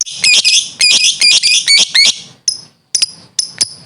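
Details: Talkative lovebird, a fighter-type training recording: harsh, buzzy high bursts in quick succession, followed by three separate sharp chirps after a short pause.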